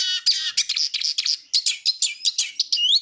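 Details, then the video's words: Eurasian siskin delivering a continuous, dense twittering song of rapid high chirps and trills, closing on a rising whistled note. "Eurasian Siskin Song - تغريد النعار"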